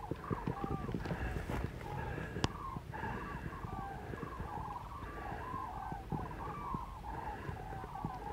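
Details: Last flock of migrating common cranes flying north over Pinto and Getafe, Parque Natural del Sureste, Spain, on a February 21 afternoon; many overlapping rolling trumpeting calls, repeated continuously, with wind noise and a few clicks.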